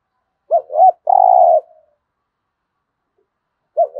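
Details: Spotted dove thúc gù cooing: two quick arched notes lead into a long, even, burred coo, followed by silence and the start of another short note.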